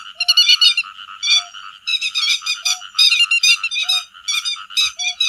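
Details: Lure recording for netting by day and night of grey-headed lapwing calling the flock: energetic bursts of harsh, chattering calls, several birds overlapping, with a soft low tone repeating about every second.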